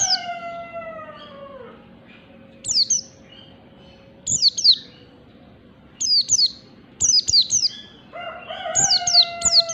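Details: Wild Oriental white-eye song used to lure birds: scattered clusters of thin, high, descending chirps, faster toward the end. A low drawn-out crow-like call is heard at the start and the end.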